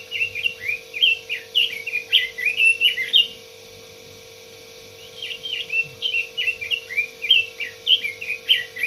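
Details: Red-billed leiothrix singing energetic, rollicking phrases of fluty, up-and-down whistles. A three-second run is followed by a brief silence and another long warbling burst, with a faint constant hum behind.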